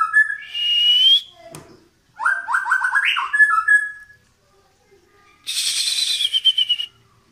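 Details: White-rumped shama from Medan, pushing its tail and singing: a rising whistle, a sharp click, a stepped run of whistled notes climbing in pitch, a pause, then a buzzy, rich descending phrase.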